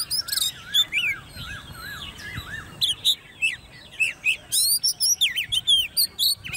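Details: Caged, hand-reared Oriental magpie-robin about ten months old in competition singing: rapid, varied whistled phrases with rising and falling slurs and sharp high notes, delivered in quick bursts with short pauses.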